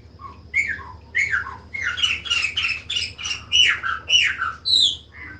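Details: Chopi blackbird (Gnorimopsar chopi) song: a rich run of loud, clear whistled and slurred notes, rising and falling, about two phrases a second, with a low hum underneath.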